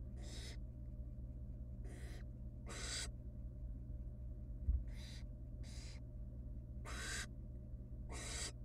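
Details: Wild barn owl young in a nest box screech hoarsely for food as the female feeds them pieces of rabbit; seven broad hissing calls at uneven intervals over low hum, one soft bump.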